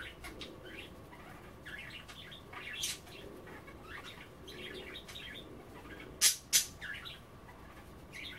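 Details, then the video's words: Budgerigars kept as pets chatter while nibbling wet kale at bath time indoors, giving clusters of fast twittering, warbling chirps in irregular bursts, broken by two loud sharp clicks. "A day in the life of a Budgie - kale bath and chattering"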